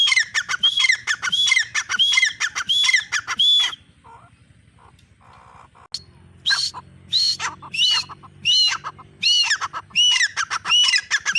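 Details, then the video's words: Grey francolin (teetar) gives loud, harsh, ringing calls with a rising whistled note, repeated in rapid bursts, then a brief pause and another run of calls. "teetar awaz || teetar voice || teetar ki boli || teetar sound"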